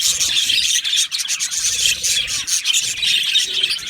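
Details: Budgies in an aviary colony produce thick, constant high-pitched twittering and chirping, many birds calling over one another with no pauses.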